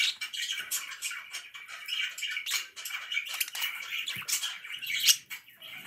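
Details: Pet budgerigars chirping nonstop indoors, a dense, continuous chatter of scratchy warbles and squeaky notes overlapping from several birds, with brief sharper squawks near the end.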